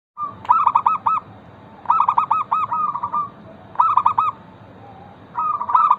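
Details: Local zebra dove used as a lure to prompt other zebra doves to sing: bursts of soft, rapid cooing notes, each phrase a quick run of short trilled coos, repeated roughly every two seconds over low background hum.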